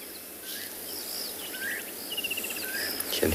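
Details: Levaillant's cuckoo calling in the distance during a hot sunset game drive on 27 January at Tswalu Kalahari Reserve, South Africa, near a watering hole: a quick run of about nine bright, even notes over insect hiss and faint chirps from other birds.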